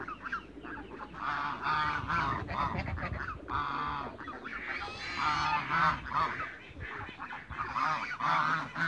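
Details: African geese of mixed ages in a backyard on a Greek farm give a steady run of harsh, repeated honks, many birds overlapping in a dense, noisy chorus.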